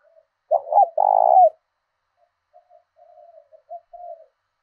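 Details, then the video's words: Decoy spotted dove, 'thổ đồng' voice style from southern Vietnam, calling to provoke fighting. One strong phrase, a quick double note and a long buzzing coo, is followed by a string of soft, low, broken coos. "Chim Cu Mồi thúc đấu giọng hay"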